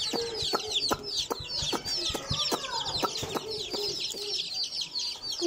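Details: Several baby chicks at play produce constant high, falling peeps in quick succession, with repeated sharp knocks and a faint low hum beneath.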